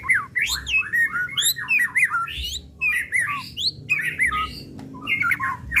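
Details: Energetic lure song of a white-rumped shama of the Pastol type: dense tumbling phrases of whistles, slurs and chatter delivered in bursts about a second long with short breaks.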